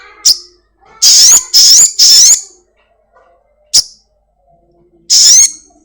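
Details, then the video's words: Lure recording of a house-kept black-winged myna, meant to get a caged bird singing quickly: a short high note, three loud, shrill, rising whistles close together, another short note, then a last harsh whistle. "Sogon gacor || Pancingan sogon rumahan agar cepat bunyi"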